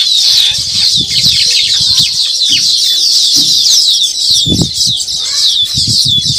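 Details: Baya weavers gathered at their new nest, producing an unbroken wash of shrill, rapid chirps and wheezy trills from many birds, over scattered low thuds and wingbeat flutters.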